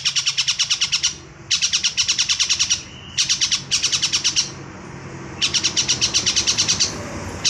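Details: Long-tailed shrike, young 'bahan' bird in energetic 'gacor' song with full material: four bursts of fast, evenly pulsed high rattling notes, each lasting one to one and a half seconds and separated by short pauses.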